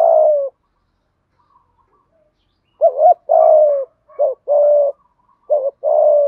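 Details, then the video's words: Spotted dove cooing to lure wild doves, in the mixed 'thổ pha đồng' voice style. Low, mellow coos, each a short hooked note followed by a longer, slightly falling hoot, repeated in quick bursts after a pause. "Tiếng chim cu gáy kích bổi nhanh nổi gù, tiếng thúc gáy gọi bổi nhanh về cội"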